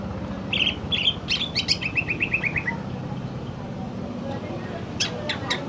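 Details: Male greater green leafbird singing in the afternoon, giving a quick string of clear whistled notes that step downward in pitch. Several sharp clicks follow, and a low rumbling background is steady throughout.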